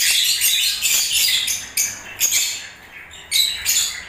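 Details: Lovebird singing in breeding season: rapid, scratchy, high chirps and squawky notes in clustered bursts, with a brief quieter spell before the chatter returns.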